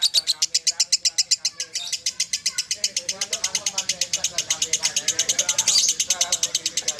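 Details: Lovebird, a famed champion bird, singing in the long ngekek style: a rapid, sustained chatter of high trilled notes, about four per second, continuing without pause, with a human voice faintly beneath.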